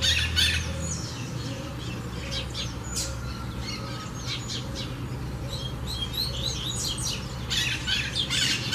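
A Double-collared Seedeater gives quick, high chirps and twittering notes, about three a second, over a steady low hum.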